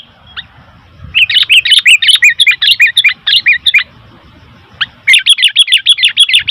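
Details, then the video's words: Sooty-headed bulbul chattering noisily in long, fast runs of bright, bubbly chirps, about three per second, pausing once before resuming; low background hum throughout. "Suara Burung Kutilang ribut"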